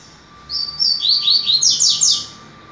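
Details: A rusty-collared seedeater singing on a 22 September morning gives a quick two-second run of high, sweet slurred whistles that speed up and grow buzzier toward the end, over a faint steady hum.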